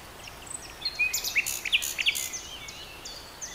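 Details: Common nightingale singing: short sharp whistled notes and slurred rising and falling strokes mixed with rapid rasping bursts, loudest in the middle, over a steady background hiss.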